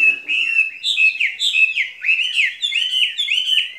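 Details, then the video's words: Caged skylark delivering spring song as repeated clear whistled slurs, each swooping down and rising again, in a steady rippling flow. "Chim quý ở lồng son ca bản tình ca mùa xuân"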